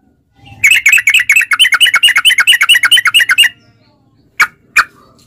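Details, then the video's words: Sooty-headed bulbul lure for caged bulbuls: a dense, quick trill of bright chirped notes for about three seconds, followed by two isolated sharp notes. "trucukan gacor TARUNG ROPEL PANJANG pancingan trucukan agar bunyi jadikan burung trucuk gacor NYAUT"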